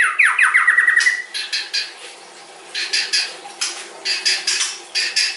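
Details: Murai batu (white-rumped shama) opening with a quick series of descending whistled notes, then repeated harsh chattering bursts at an even pace.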